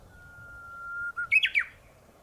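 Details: Morning song of a Japanese bush warbler perched atop a tall tree: a level whistled note lasting about a second, followed by a loud, rapid phrase of three or four sharp, descending syllables, quiet background.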